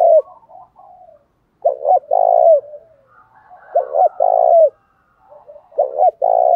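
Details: Spotted dove song meant to stir rival doves to fight. Three phrases, each a stammered double coo and a long vibrating coo, roughly every two seconds, with softer background coos from other doves.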